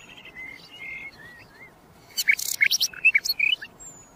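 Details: Common nightingale, called sikatan londo locally, opening with soft sliding whistles, then bursting into a loud, fast series of sharp chirps and trilled notes before falling quiet, against light background hiss.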